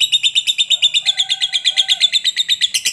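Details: Rapid rhythmic chatter from a lovebird, a long trill to encourage other lovebirds to sing; sharp high pulses about three per second with a faint lower whistled tone underneath.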